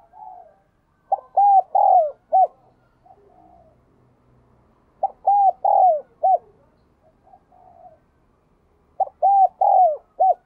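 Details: Spotted dove repeating its bell-voiced giọng đồng kim coo three times, about every four seconds, each phrase of four hooked mellow notes, with soft cooing from farther birds in between.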